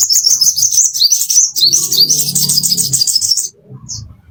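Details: Plain-throated sunbird master song for caged-bird training: continuous rapid high twittering with quick rising slurs for about three seconds, faint low rumble beneath, ending abruptly.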